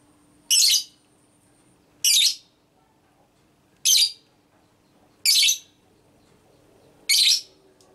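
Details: Captive female lovebird giving ngekek calls meant to trigger other lovebirds: five brief, grating, high bursts at roughly one-and-a-half-second intervals, a faint hum beneath.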